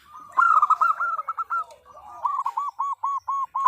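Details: Local zebra dove female calling the male as a lure: an opening cluster of rippling coos, then a neat series of about eight separate arched notes at a steady, rapid pace.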